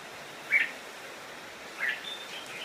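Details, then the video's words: Red-whiskered bulbul used as a decoy, singing to lure wild bulbuls in to fight: two short, bright chirped phrases about a second apart, over a steady background hiss. "Chào Mào Mồi Hót Gọi Bổi Về Đấu"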